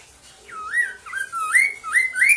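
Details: Loud song of a black-throated laughingthrush, used to train caged birds to sing, a run of clear whistled phrases, each dipping then rising in pitch, strung together in quick succession.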